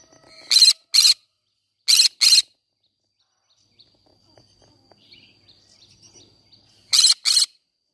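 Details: Green-cheeked conure calling in a flower garden: paired shrill, rasping screeches, two pairs in quick succession, then a long near-silent stretch with faint soft ticking before a final double screech.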